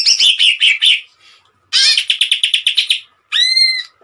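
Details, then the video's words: Greater green leafbird singing a tembakan burst. Rough chattering notes give way to a fast series of clipped chirps, and a clear pure rising-falling whistle ends the sequence. "CUCAK IJO GACOR TEMBAKAN MANTAP"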